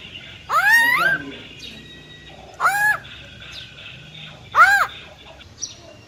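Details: Female silver-eared laughingthrush with a wild-type voice, singing to stir males into fast excitement. Three loud, rich, arched notes with strong harmonics come about every two seconds, over a faint steady high tone and low background hum.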